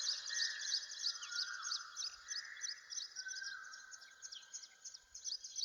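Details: Morning birdsong in woodland near a village, recorded on location in real time: rapid high chirps repeated about three times a second over a steady mid-pitched warbling and trilling chorus from several birds.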